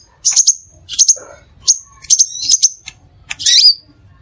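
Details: Crimson sunbird lure song for attracting other sunbirds: rapid high chirps in quick doubled notes, ending with a longer buzzy twittering phrase, clear and loud.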